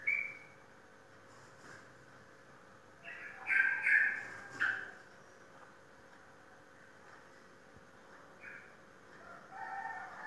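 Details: Champion competition sooty-headed bulbul kept in Indonesia: a few rich, chortling phrases clustered midway, then softer scattered notes, with long quiet stretches between.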